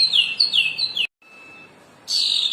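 A Cendana bird sings three quick, high whistled notes that slide downward, pauses briefly, then gives a louder, sustained high warble.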